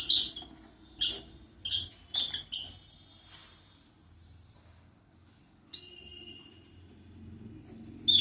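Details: Two lovebirds kept as pets begin their morning with a rapid string of five shrill, buzzy chirps, then a pause, a lone sharp chip and a final loud screech.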